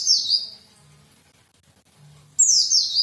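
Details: White-eye, called pleci locally, giving quick high twittering phrases that slur downward, one at the start and another after a pause of about two seconds, with faint low hum between.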